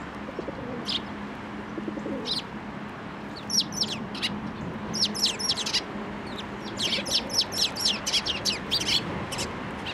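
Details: Sparrows gather to be fed at a post at a Tenmangu shrine on 25 April 2024. Isolated chirps come first, then the calling grows busier, ending in a dense, lively stream of short high twitters.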